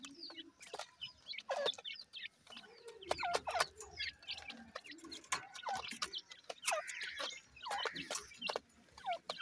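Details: Captive Deccan francolins with their chicks: scattered thin, high chirps and short downward-slurred peeps, with a few softer low clucks between them.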